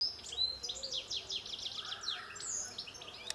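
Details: European goldfinch giving a continuous, high, tinkling twitter of quick liquid notes that slide up and down, with a steady background hiss.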